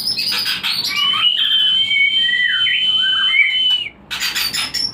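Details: Breeding lure song of a white-rumped shama, meant to raise breeding drive: a long, level high whistle over varied lower whistled notes, opening and closing with rapid clicking, chattery bursts.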